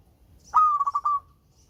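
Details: Local zebra dove uttering one short cooing phrase: a sudden clear note, then three or four rapid pulses merging into a brief drawn-out tail, in quiet surroundings.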